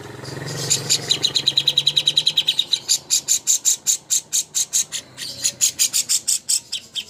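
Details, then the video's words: Cucak hijau master song for contest birds. A long, rapid series of high tinkling notes gives way to harsher, buzzier chirps repeated quickly for several seconds, with a faint low hum at the start. "masteran ampuh untuk burung cucak hijau Lomba"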